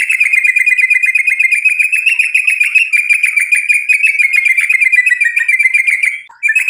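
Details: White-rumped shama (murai batu), sung to goad a rival into replying: a sustained, fast-pulsed buzzy trill holding one pitch for over six seconds before a brief break.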